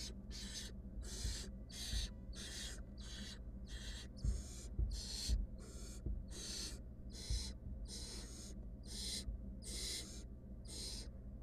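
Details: During a nest-box clash with her mate or an intruder, a wild female barn owl hisses rapidly and repeatedly, about fourteen harsh breathy bursts, interspersed with low knocks and shuffling.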